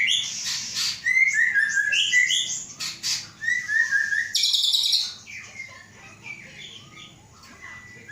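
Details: White-rumped shama of Aceh origin, kept caged and hatched 23 August 2012, its mother from Gayo Lues. A quick series of short rich whistles and chips, then a harsh buzzy burst, fading into soft scattered notes.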